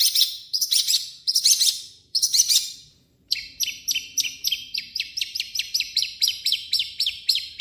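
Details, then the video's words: Long-tailed shrike song in its native voice, with imitations of other birds: high, scratchy chattering phrases, then a brisk run of sharp, repeated chirps about four per second. "MASTERAN BURUNG CENDET"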